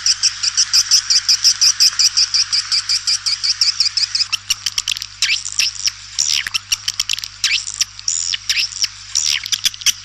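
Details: Swiftlets calling: a dense run of rapid high chirps for about four seconds, then sharp clicking notes and looping twittered calls, repeated quickly and irregularly.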